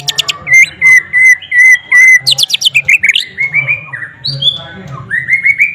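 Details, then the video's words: Singing white-rumped shama with mimicked flycatcher notes: a series of loud level whistles, a quick rattle of high notes, then varied rising and falling whistled phrases, with a low hum underneath. "MURAI BATU ISIAN SIKATAN LONDO"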